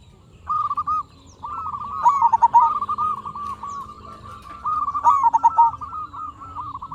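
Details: Local zebra dove singing vigorously, a lure recording meant to make other zebra doves answer; bursts of rapid staccato cooing notes ending in quick descending trills, phrases repeating about every three seconds over a faint low hum.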